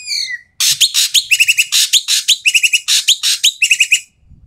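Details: Asian pied starling calling loudly and harshly, calls meant to prompt quiet starlings to sing: a falling whistle, then a steady run of grating, buzzy notes about four per second with clear whistled phrases woven in.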